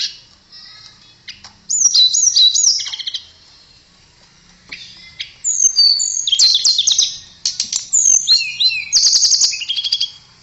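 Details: Varied tumbling song from a blue flycatcher, locally tledekan: looping whistled notes rising and falling, quickening into dense chattering phrases, in two long bursts.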